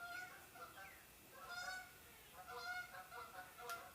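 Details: A flock of Canada geese flying overhead in spring, returning from the south: nasal, overlapping honks about once a second, some higher and some lower, in an uneven chorus.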